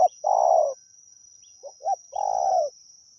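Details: Spotted dove in the wild, called during decoy luring, gives a long, buzzy coo, two quick short notes, then another drawn-out, gently falling coo. A thin constant high whine runs behind it.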